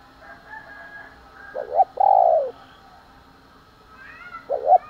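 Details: Spotted dove calling in the morning, stirred to fight: a short double coo, then one long loud hollow coo, and another paired coo at the end, with soft background bird chatter.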